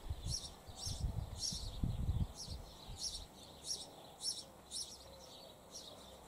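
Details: A pair of sparrows nesting in a hole in a church wall give bright, high chirps about twice a second in a steady rhythm, over a low rumble of wind or handling noise.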